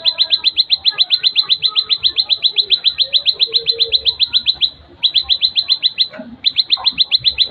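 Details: Plain prinia song: long steady train of crisp, high ticking notes at roughly four per second, interrupted by two short gaps; soft background bird twitters.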